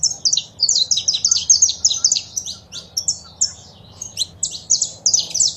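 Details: Male saffron finch singing alongside female calls, for stimulating caged birds; a continuous fast string of high, sharp chirping notes, loud and almost unbroken throughout.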